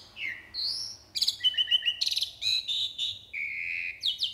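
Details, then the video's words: A jalak uret starling in full, lively song gives a varied stream of whistles: falling and rising slurs, rapid stuttered buzzy notes, dense harsh chatter, then a long level whistle and quick chirps at the end. "JALAK URET FULL ISIAN GACOR"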